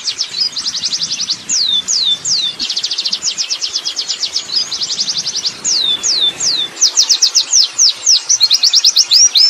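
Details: Oriental white-eye in the wild delivering its rolling 'ngerol' song, a long unbroken stream of very high rapid downslurred notes mixed with occasional drawn-out curving whistles, steady for over nine seconds.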